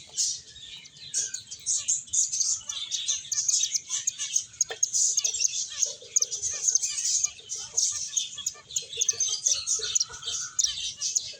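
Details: Finches playing and eating: a dense, continuous chorus of high, rapid chirps and twitters from many birds, with scattered soft lower clicks and taps throughout.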